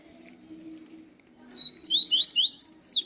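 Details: A newly acquired white-breasted male Double-collared seedeater (coleiro) had been silent for three days at its new home. Here it bursts into song, a fast run of high, slurred whistles at several notes a second, after a low background hum.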